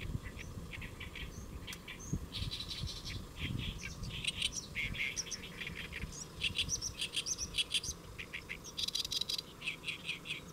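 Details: Around noon on 1 July 2024 at Saemangeum in Gimje, Korea, a great reed warbler perched on a lotus leaf sings a grating, chattering song of repeated croaky notes against constant low background noise.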